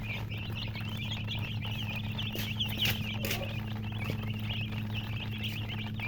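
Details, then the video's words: A flock of colored chicks chirping continuously with high, quavering peeps, with a few soft clicks and knocks and a constant electrical hum underneath. "silly chicken chirping sounds"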